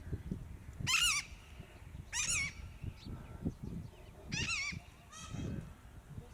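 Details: A peacock at a village edge gives four loud, nasal, wavering honks, each about a third of a second long and one to two seconds apart, over low background rumbling.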